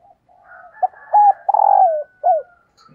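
A female dove gives soft, low, hollow coos, a few short notes then a longer falling one, calling to stir up males. Nothing else is heard.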